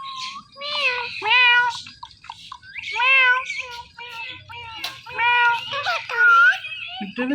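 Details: Pet Ringneck parrot watching itself in a phone, talking and mimicking a cat's meow: a series of drawn-out, rising-then-falling whining syllables in short bursts, with a faint low hum underneath.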